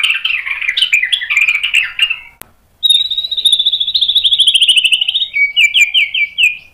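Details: White-rumped shama in full song with sharp mimicked fill-in phrases, used as a lure so other birds answer: a dense chattering warble, a brief pause, then a long ringing trill that slides into quick repeated notes.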